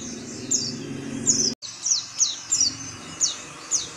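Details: Oriental white-eye giving short, high, thin chirps that sweep downward, about eight notes spaced irregularly across four seconds, over a low steady hum with a brief dropout near the middle.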